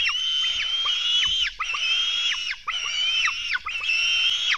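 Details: At a Latvian black stork nest during a dawn feeding, 24 June 2016 at 04:53, nestlings give loud, harsh, drawn-out screeching calls, each about a second long and ending in a downward slur, repeated four times.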